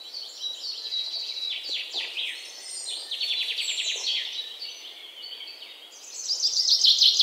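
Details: A bird chirping in song: high, quick chirps and twittering trills in rapid runs, varied and overlapping, with steady background hiss throughout.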